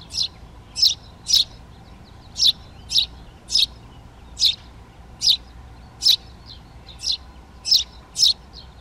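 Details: Eurasian tree sparrows in a garden in Přerov, Czech Republic, on 19 March 2020, taking over nest boxes: sharp high chirps repeated about every half second to second, with a faint low background hum.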